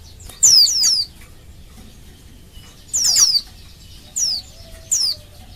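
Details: Female Oriental white-eye in Indonesia calling to attract males and prompt them to sing: quick clusters of two or three piercing downslurred whistles, then single descending notes, separated by short pauses against near silence.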